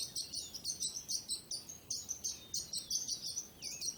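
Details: Overlapping high chirps and short trills from birds, set against a steady background hiss of natural noise.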